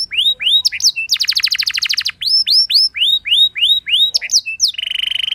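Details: Canary song used to trigger singing in other canaries: arched whistled notes repeated in series, a fast buzzy trill in the middle, more arched whistles, and a closing rapid rattling roll.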